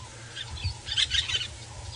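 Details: Red-billed Buffalo Weavers at their communal nests above a dam chatter in quick, high, scratchy bursts peaking mid-clip, over a low vehicle rumble, at sunrise on 14 March 2018, Djuma Game Reserve, Sabi Sand, South Africa.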